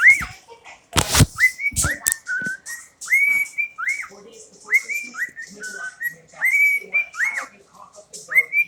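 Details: Pet cockatiel whistling a long string of rising slurs and level tones, in a tune-like pattern. There is a loud knock near the start and soft background noise throughout.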